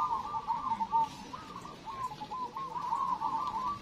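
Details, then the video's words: Local zebra dove (perkutut lokal) at a bird singing contest: a run of soft, rolling, trilled coos at a steady mid pitch, repeated with little pause, with fainter coos from other doves and low background murmur. "LOMBA PERKUTUT LOKAL"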